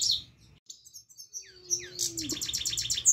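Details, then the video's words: Himalayan goldfinch song fragment: after a short quiet gap, scattered high chirps lead into a rapid, evenly repeated metallic trill; a lower drawn-out descending tone sounds faintly beneath. "Himalayan Goldfinch Singing Saira"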